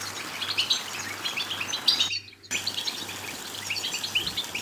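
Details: European goldfinch singing, for stimulating a goldfinch to sing: rapid liquid twitters and high tinkling notes, broken by a short silent gap, then resuming just as busily, with a low hum throughout.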